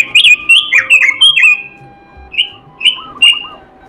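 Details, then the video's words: Melodious robin song: a quick cascade of loud, slurred whistles, then after a pause three separate clear whistled notes spaced about half a second apart, with faint lower trills. "robin suara merdu gacor isihan"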